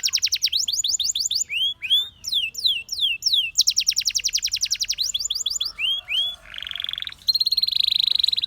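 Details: Singing canary runs through quick series of downslurred notes, a few looping whistles, and long metallic buzzing rolls, finishing on a sustained rattling trill. Faint low hum underneath.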